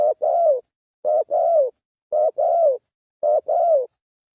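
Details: Spotted dove calling for luring, four rhythmic two-note coos: a quick low note then a longer mellow coo that sags at the end, spaced about a second apart.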